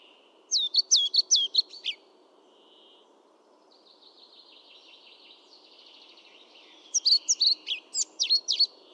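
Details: European pied flycatcher singing: a brisk string of high, slurred notes, then a quiet stretch with a soft buzzy trill, then another lively burst of sharp, jumping whistles, with a low hum underneath.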